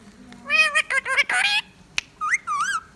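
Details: Pet male Indian ringneck parakeet known for saying 'mian mithu', whistling and laughing; a burst of harsh, speech-like rasping syllables followed by a short pause, then two wavering whistled notes.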